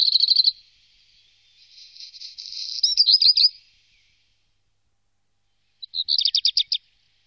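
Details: Black redstart in the Wittlich valley, Germany, recorded 2018, delivers a brief rapid trill, then a gritty crackling phrase ending in clear notes, a pause, and a quick stuttering burst of repeated notes.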